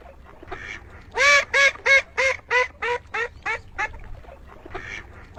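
A duck gives a run of loud, nasal quacks, about three a second, fading gradually in volume before a few more quacks close the series.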